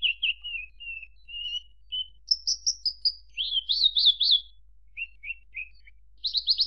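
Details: Branjangan, the Javan bush lark, delivering soft warbled notes, a run of high repeated whistles, wavering zigzag phrases and brief chips, ending in a buzzy rapid burst.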